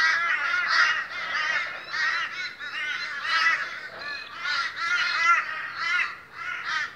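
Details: A boisterous morning gathering of Australian crows calling together: harsh, nasal, drawn-out caws overlap almost without a break, rising and falling in waves over seven seconds, with no other clear sounds.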